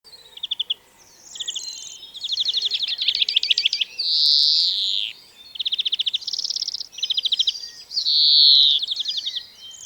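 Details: European greenfinch recorded in the wild, singing a loud varied song of rapid trilled rattles around mid-high pitch alternating with long wheezing buzzy notes, each phrase about a second long, over a quiet background.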